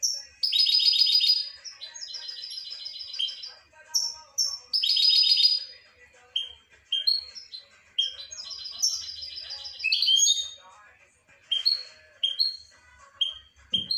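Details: European goldfinch in full song, mixing rapid metallic trills and buzzy rolling phrases with short clear whistles and rising chirps, delivered in quick succession with short pauses.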